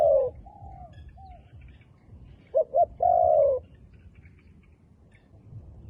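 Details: A few mellow coos from a wild dove with dark black plumage, then a quick double note and a long, falling coo, followed by near silence.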